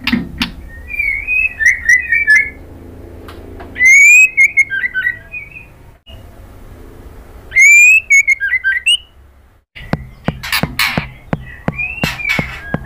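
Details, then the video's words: Female white-rumped shama calling to a male: short bursts of clear, warbling whistled phrases that twist up and down, separated by pauses, ending with a rapid series of dry crackling clicks under soft whistles. "KRETEKAN MURAI BATU BETINA bikin BIRAHI jadi EMOSI NYAUT GACOR"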